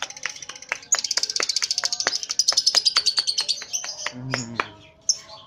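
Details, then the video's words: Lovebird in short chatter: a fast run of high buzzy chirps, about five per second for three seconds, then a rough squawk and a final single chirp. "Love bird ngekek pendek"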